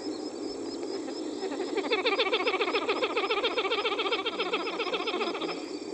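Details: Pied-billed grebe caring for its chicks at Varjota: a rapid run of repeated nasal, chevron-shaped notes, about four per second, lasting some four seconds over a steady background hiss.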